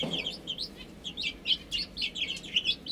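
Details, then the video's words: Baby chickens at food and water utter clear, high, bouncing peeps in quick succession, several per second, over a quiet background. "Cute Chicks Chirping Sounds"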